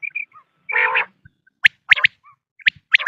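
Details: Quail calling, a sound used for hunting at morning and night: short sharp whistled notes, single and in quick pairs, with one lower, harsher burst near the start and brief faint chirps between.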